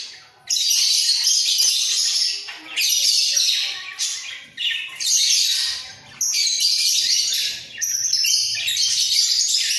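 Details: A pair of budgerigars in a breeding cage, nodding their heads as they sing: dense, scratchy, high chattering warble in long bursts separated by brief pauses, with squawky notes mixed in.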